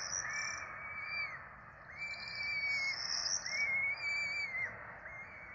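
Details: Peregrine falcon chicks, four of them, begging during a feed at their nest in Rome, April 2024: quieter, arched whistled squeals over a second long, coming back-to-back in a fast run.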